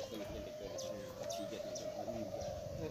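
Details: Caged spotted doves competing at a klantan contest, Gunung Kembar, East Lombok, 2021, with an unbroken mass of low coos and scattered short chirps from other birds over background murmur.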